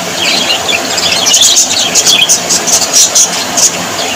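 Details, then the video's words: A group of cheerful budgerigars, Australian parrots, twittering. Rapid, piercing tick-like chirps repeat in quick succession after a softer warbling start, over a steady hiss. "Australian parrots voice ☺️ Parrots very happy 😊"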